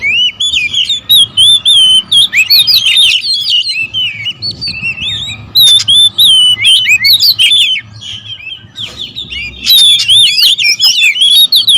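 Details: Noisy territorial oriental magpie-robins squabbling: fast overlapping whistles, curling slurred notes and harsh chatter, a steady low electrical hum beneath, with a brief quieter lull near the middle.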